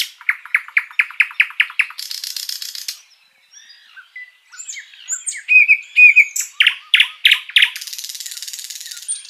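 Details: Master song of the sikatan londo flycatcher, lively and long, used to teach caged songbirds: a rapid series of sharp repeated notes, a buzzy rattle, scattered whistled slurs, then loud descending chips and another buzzy trill.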